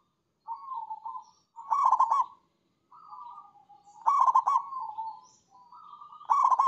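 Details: Zebra dove in prolonged manggung song, three phrases of mellow cooing that swell into loud vibrating trills, evenly paced with short silent pauses between them.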